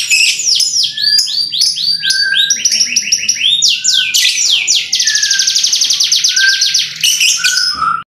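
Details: A canary sings sharp, fast song bursts: a loud run of sweeping whistles and rapid trills, ending in a long, even, high buzzy roll.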